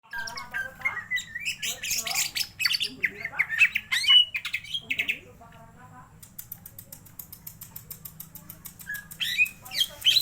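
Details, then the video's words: Greater green leafbird, kept as a cage bird, sung to stir its excitement: a busy medley of varied chirps, harsh buzzy notes and sharp whistles in bursts, with a stretch of rapid dry rattling ticks and a low steady hum beneath. "Mendongkrak emosi burung cucak ijo."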